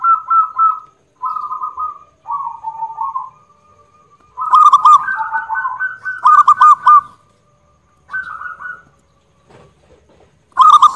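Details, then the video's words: Local zebra dove with a loud voice singing: rolling, trilled coo phrases about a second long at a steady mid pitch, separated by brief pauses, with several louder, harsher pulsed bursts; no other sounds. "Perkutut Lokal Suara Lantang"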